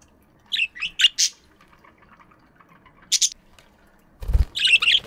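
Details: Chirping budgies in an aviary in the morning: a quick string of sharp chirps, then a lone squawky note, ending with a burst of chatter over a low thump or rustle.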